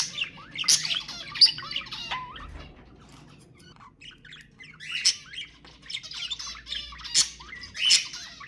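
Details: Budgerigars chatter in bursts of high, scratchy warbles and sharp squawks, pausing briefly between busy spells, with a faint low hum beneath; sounds presented as strong calls to stimulate budgerigar mating.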